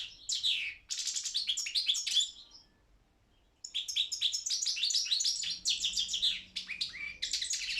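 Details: European goldfinch of the Balkan subspecies Carduelis carduelis balcanica, singing in an internet song competition; rapid twittering phrases of high, buzzy and tinkling notes, broken by a pause of about a second and a half before the song resumes.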